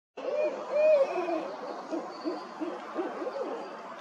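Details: Barred owl pair calling in 2024: low, throaty hoots and wavering, slurred notes that overlap in a quick, excited back-and-forth.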